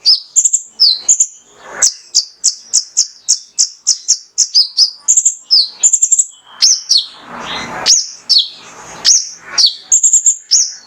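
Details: Long lively passage of male mangrove whistler song used to spur other birds: steady series of high chirps, about two per second, then mixed downslurs and trills, with brief rustling noises.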